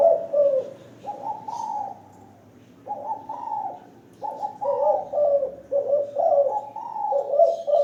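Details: Zebra dove kept in a hanging cage and calling frequently: a series of soft, trilled coos, some bursts rising then dropping, delivered in uneven runs with short pauses between them.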